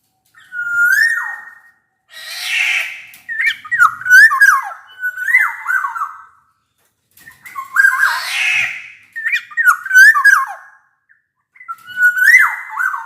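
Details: Energetic black-naped oriole, song used as a lure for quiet orioles to sing; repeated loud fluty whistled phrases with abrupt downward slides, interspersed with two harsher raspy notes, delivered in steady bursts.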